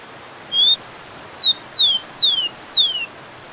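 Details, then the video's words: Rufous-collared sparrow (tico-tico, Zonotrichia capensis) singing: a short rising whistle, a slightly falling higher note, then four clear whistled slurs sweeping downward, spaced about half a second apart, over a steady rushing background hiss. "TICO TICO"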